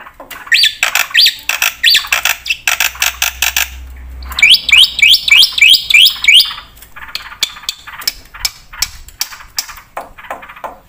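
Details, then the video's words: Javan pied starling in energetic full song, used as a lure and training master for other birds; harsh rapid chatter in bursts, a series of rising whistled notes, then quieter scattered chatter with a low hum beneath. "pakai suara burung jalak putih gacor full isian buat pancingan dan masteran pasti nyaut"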